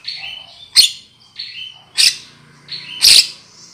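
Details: Calls of a black-winged myna played as a trapping lure: three rounds of a short rising whistle followed by a sharp, explosive rasping note, repeated about every 1.2 seconds.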